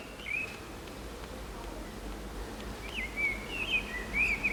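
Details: Common blackbird singing from an antenna in the town centre of San Martín, Zamudio, Txorierri, Bizkaia, on 23 April 2019; mellow fluting warbled phrases with a short twittering flourish, spaced apart over steady low background hum.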